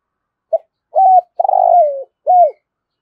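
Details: Spotted dove calling thúc gù in the rolling, resonant voice known as thổ rền. One complete phrase: a brief note, a level coo, a drawn-out buzzy coo falling in pitch, then a curved descending coo. Silence around it.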